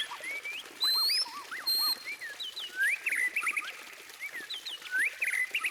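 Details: White-rumped shama song of loud, pure upswept whistles mixed with lower looping notes and short chirps. The phrases are delivered in quick, uneven bursts with a few brief gaps.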